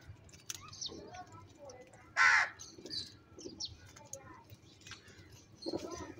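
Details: Crows squabbling over food give one loud, harsh caw midway, with fainter chirps and calls scattered behind it.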